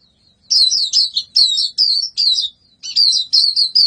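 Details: High, bright white-eye warbling in a series of quick looping phrases of about half a second each, delivered almost back to back.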